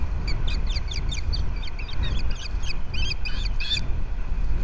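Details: Osprey at a Captiva nest, February 11, 2023, during a fish delivery from male to female. A fast string of high, squealing chirps grows louder and harsher toward the end, with wind noise underneath.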